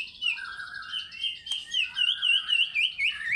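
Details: White-rumped shama singing in fighter style: a steady high whistled line with looping notes repeated about four times a second, over a lower warbling phrase.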